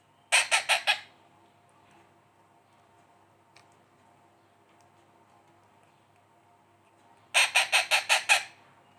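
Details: Female rose-ringed (ringneck) parakeet chick, 7 days after hatching, being hand-fed, gives two bursts of rapid, raspy begging pulses, about five in quick succession, over a faint steady hum.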